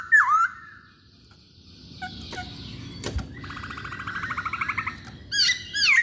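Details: Masked laughingthrush song played as a lure to set other masked laughingthrushes singing: short loud slurred whistles at the start and end, with a rapid chattering trill in the middle and a sharp click.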